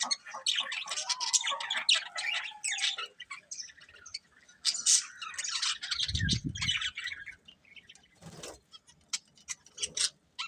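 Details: Budgerigars, a colourful breeding pair, chirping: bursts of scratchy, warbling high chatter between two and eight kilohertz-range tones, with pauses, a low thump near the middle and a brief rustle later.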